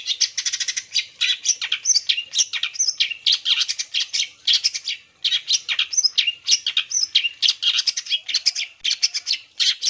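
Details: Long-tailed shrike song for provoking other shrikes to answer: continuous harsh, grating chatter mixed with high squeaky whistles, in quick bursts nearly without pause for ten seconds, one brief break around five seconds.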